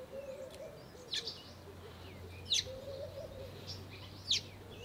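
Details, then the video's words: Cape robin-chat in a garden, singing melodies, mimicking and scolding: three sharp, high, piercing notes spaced a little over a second apart, with soft whistled fragments between them over a low steady hum. "CAPE ROBIN-CHAT'S melody, mimicry and scolding"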